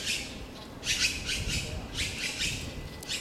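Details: Breeding Taiwan blue magpie, recorded between 28 April and 26 May 2013 while raising young: rough, grating squawks, roughly five bursts in a few seconds, some doubled, over a low background rumble.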